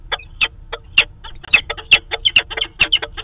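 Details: Peregrine falcon pair in their daily meeting at the nest site in Manchester, New Hampshire, on 2 September 2018; harsh, grating chup notes repeated about every third of a second, quickening and overlapping, over faint low hum.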